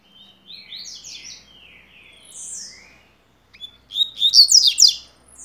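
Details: Rusty-collared seedeater singing the tui tuí style for tutoring: quick cascading slurred whistles, a drawn-out buzzy note, and a descending slur, then after a short gap a loud, rapid, sharp twittering finale.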